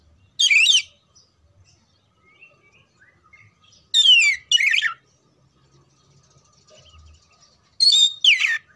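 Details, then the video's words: Oriental magpie-robin singing to prepare birds for contests: loud bursts of sliding whistles mixed with buzzy notes, spaced about three to four seconds apart, in an otherwise quiet setting. "TERAPI SUARA KACER"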